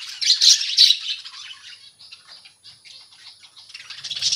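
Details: Budgerigars kept in a colony: loud harsh squawks and chirps high in pitch burst out in the first second, then a softer, steady chatter of many birds continues, rising again near the end.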